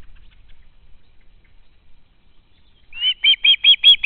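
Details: Young osprey at the home nest, 12 August 2013, still hoping to be fed by its parents: after near silence, a burst of six loud, shrill piping screams begins and builds quickly.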